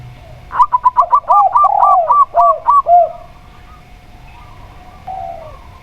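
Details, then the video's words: Local-type zebra dove singing a fast stuttering run of about ten short, clipped mid-pitched notes, overlapped by lower arched coos from a spotted dove, then quiet with a faint later coo. "Perkutut Lokal Suara Plong"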